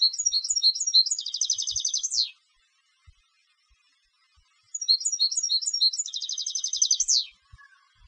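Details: Competition European goldfinch singing: two phrases, each a run of bright twittering notes, then a fast buzzy trill ending in a descending sweep, separated by about two seconds of near silence with faint clicks.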